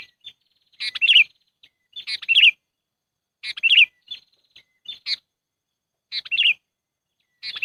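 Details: Sooty-headed bulbul lure call used for trapping: bright bubbly chattering phrases, each a quick cluster of rolling notes, repeated about every 1.3 seconds with faint thin notes between them.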